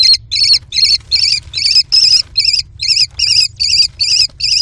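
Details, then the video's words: American kestrel nestlings screaming in their nest box over food brought by the mother; evenly spaced, harsh, wavering high notes with a trilled quality, about two and a half per second. "CRAZY Food Frenzy ~ Steals, Mantles & Tug-O-Bird"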